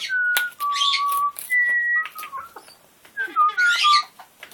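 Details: Captive male military macaw, territorial on top of his cage during hormonal bluffing, gives clear steady whistled notes, some level and some slightly falling, broken by short harsh bursts and rustling.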